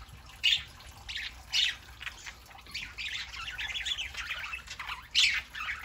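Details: Pet parakeets on a Saturday morning: a few sharp squawks at start and end framing a stretch of continuous fast warbling chatter.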